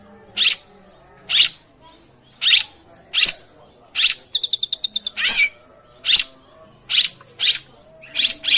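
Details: Prompting sound of a long-tailed shrike for stirring a bird that will not sing: single harsh, rasping shrieks about a second apart, interrupted midway by a quick burst of about eight high, clipped ticking notes.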